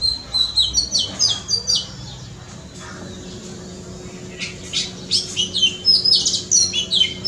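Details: Oriental magpie-robin, known locally as dhobini chara, singing in a front yard: bright, varied high whistled and chirping phrases in bursts, a quieter pause in the middle, then lively repeated notes returning; faint low background hum throughout.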